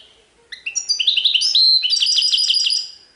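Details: European goldfinch, sarfati style song with tiwawati phrasing: rapid run of sharp, liquid twittered notes rising into a steady series of quick repeated chirps, about four per second, on a quiet background.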